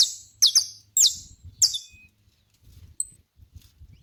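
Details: Saffron finch in a natural setting: four loud, high, downward-sliding chips, some doubled, followed by low rumbling noise and one thin high note.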